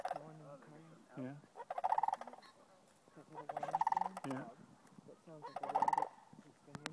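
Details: Flocks of sandhill cranes answering one another near Rio Grande Nature Center State Park, Albuquerque, November 18, 2012; three swelling rattled bugling phrases about two seconds apart, with low goose-like honks underneath throughout.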